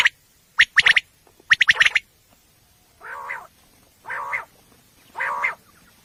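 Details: Common quail, labelled as a female, at night in a hunting recording: two quick sharp triple-note bursts, followed by three evenly spaced, drawn-out hoarse nasal calls.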